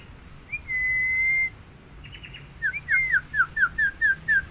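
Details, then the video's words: Black-winged myna in the wild: a long flat whistle, then a series of short downslurred whistled notes repeated several times per second. "Suara burung jalak putih"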